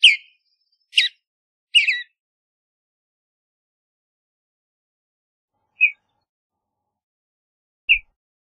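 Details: Western bluebird calling: three buzzy chirps in the first two seconds, then two brief soft notes after a long pause, background otherwise silent.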